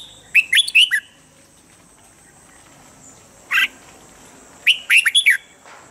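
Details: Red-whiskered bulbul singing its standard morning training song, used to make birds fire up quickly. One quick phrase of tumbling chirps, a lone sharp note, then another fast run of five bright notes.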